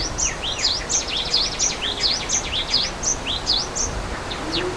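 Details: Java sparrow near a waterfall in nature, uttering rapid high chirps that dip and rise sharply, repeated in an uneven chatter that fades near the end, with a steady hiss of falling water behind.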